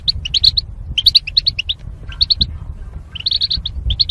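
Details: Goldfinches housed in cages as mating pairs split by wire dividers, used for singing training: rapid runs of clear high chirps, three to five notes per burst, separated by short pauses over low background hum.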